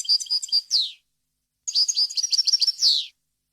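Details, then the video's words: European goldfinch song for tutoring young birds: a few spaced bright notes and a falling buzz, a pause, then a hurried twittering phrase of high notes ending in another downward slurred buzz. "غناء طائر الحسون ، صوت صافي وخالي من الاخطاء لتسميع الفراخ"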